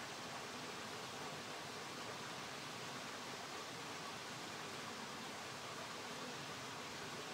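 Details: Continuous even hiss resembling a stream or waterfall, with no distinct animal voice standing out.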